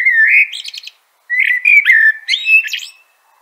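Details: Common blackbird (Turdus merula) song: two rich caroling phrases, each a warbled flute-like run that breaks into a high, scratchy twittering flourish, separated by a short pause, against a silent background.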